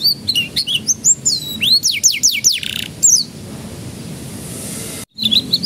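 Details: Canary song used to prompt young canaries to begin singing: rapid chirps and looping whistles, a run of swooping downward slurs and a brief rattle, then a hushed stretch before chirping resumes.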